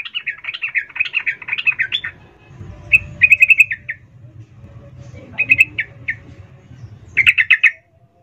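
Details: Sooty-headed bulbul female calling a male, a brisk rhythmic chatter of chirps followed by short clusters of bright rapid notes with gaps between.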